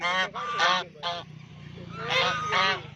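A duck gives about five loud, harsh, nasal quacks in quick pairs and singles over three seconds, over a steady low hum in the background.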